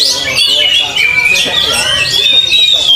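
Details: Oriental magpie-robin during field training, giving sustained bright whistled notes with gliding pitch and short chattering bits, accompanied by a busy backdrop of other birds and faint talk.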